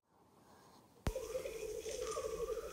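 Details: Black grouse lekking in late April 2020 in spruce-belt mountains of Ketmen Ridge, Kazakhstan, during a population survey: a low, steady, bubbling coo wavering slightly in pitch, starting abruptly after a sharp click, faint hiss behind. Black grouse.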